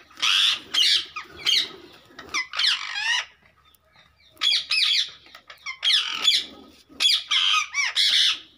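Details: Parrots in a fight, screeching in harsh, raspy bursts that come in quick clusters, with a quieter pause midway before the loud squawking resumes.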